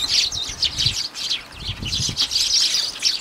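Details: A noisy group of sparrows at a garden bird table in early January: rapid, jumbled high chirps, with soft wing flutters and low thumps underneath.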